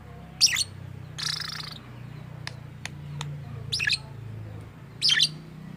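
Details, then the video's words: Lovebird making a strange sound, said to imitate a human voice: short shrill high chirps in separate bursts about a second apart, with a longer harsh buzzy note early on and faint clicks between, over low steady background hum. "Burung Love Bird bersuara aneh"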